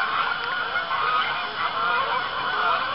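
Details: At about 7:20 pm on an October evening in Arkansas, geese honk over a pond as arriving birds land; rough nasal honks crowd together in a steady wall of calls.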